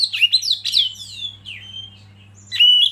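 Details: Kacer (Oriental magpie-robin) gives a few quick chirps, then long descending clear whistles, falls silent, and ends on a loud rising whistle; a low hum persists.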